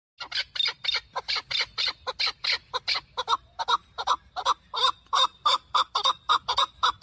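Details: Chukar partridge, likely caged, at the Sunday partridge market in Dushanbe, Tajikistan, 12 November 2023, where hunting, fighting, young and local birds are sold; loud harsh chuck notes in a rapid, slightly uneven series of about three to four per second.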